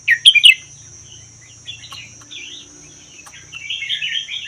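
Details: Captive red-whiskered bulbul taken from the wild in Vietnam–Laos and held one year, in the 'double' song style. A loud warbled burst opens, then softer scratchy notes and a rising chatter over a steady high whine.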